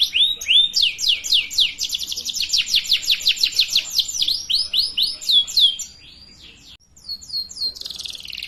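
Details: Young canaries learning to sing are tutored with this rapid canary song: a fast run of bright downslurred notes, some twisting swoops, a brief quiet gap, then a few more chirps.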